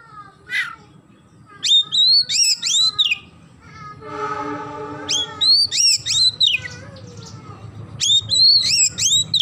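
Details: Oriental magpie-robin singing a sparrow-imitation fill. Sharp hooked chirps come in repeated bursts, briefly interrupted by a steady buzzy tonal sound midway. Noticeable background hiss and rumble.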